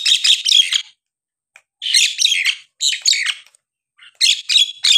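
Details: Nias hill myna singing loudly as a lure to rouse lazy, quiet mynas into full song: three bursts of harsh, buzzy, bright chattering notes separated by short silences.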